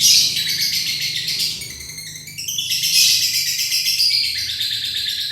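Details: Long continuous lovebird trill meant as a lure to make other birds sing along: a dense high chattering stream with short whistled notes, dipping slightly in the middle before rising again.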